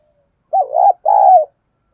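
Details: Spotted dove, a lure bird cooing to provoke wild rivals, with a deep local-style voice: two low hoarse coos, the second long and level, then falling at its end.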